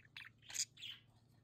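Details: Several pet budgerigars in their home play area give a quick string of three sharp, high chirps, the middle one loudest, within about a second, over a faint hum.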